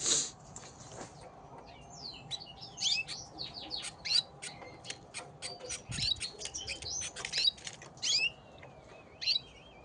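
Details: Gloster canaries in a fight: a long stream of harsh, clipped squawks and chirps, irregular and rapid, mixed with brief whistled slides, ending in a short buzzy rising note, with low background hum.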